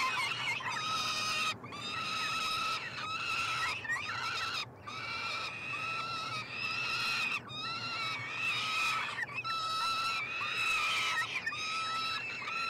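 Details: At a nestbox on the University of Montreal campus, Canada, three peregrine falcon chicks clamour while fed, 21 June 2022: a rapid series of rasping, wheezy screeches, many short and some longer, overlapping as siblings compete.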